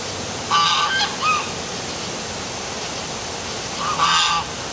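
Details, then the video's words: Geese in the dark by a downtown waterfall in Milford, Connecticut: a quick pair of nasal honks, a pause of nearly three seconds, then one longer honk, all over steady rushing water. "Dark Night Geese Calling by Waterfall"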